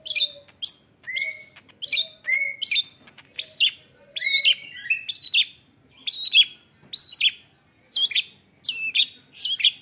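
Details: Newly acquired caged long-tailed shrike singing actively with its isian, or filled-in phrases: sharp high chips and short falling whistles, with lower slurred notes between them, given roughly once a second in a steady run.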